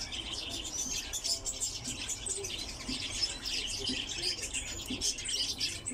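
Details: A lesser short-toed lark kept in captivity gives a rapid, varied stream of high chirps and short buzzy notes, delivered continuously with slight swells in loudness.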